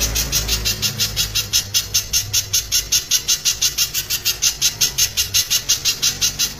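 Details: Loud, dense spiderhunter song in the tembakan rapat style: piercing, high chips repeated steadily at close intervals throughout, with faint low hum in the background.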